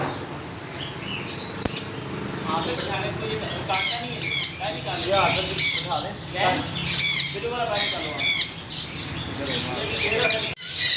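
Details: Noisy parrots screeching in overlapping bursts, with harsh rasping squawks rising and falling in loud clusters every second or so, and a low background rumble.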